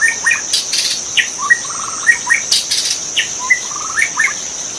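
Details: Magpie-robin singing wild in forest: bright whistled notes, a few slurred rising phrases and short rapid trills, delivered in bursts, over a constant shrill insect drone.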